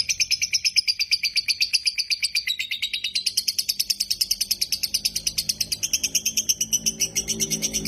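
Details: Energetic dakocan lovebird song used to prompt idle lovebirds to sing: a long, unbroken run of fast, shrill, buzzy pulses whose pitch sweeps down and back up, steady in loudness.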